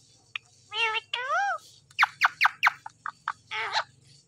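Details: Mimicked talk from a green Indian ringneck parakeet: two drawn-out, wavering word-like sounds followed by a fast string of sharp clicks and a final rising syllable, over a faint low hum.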